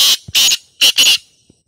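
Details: Harsh rasping call of a black francolin (kala teetar), used to get other francolins to call back: four loud grating notes in about a second, two close pairs, with a brief low knock between them.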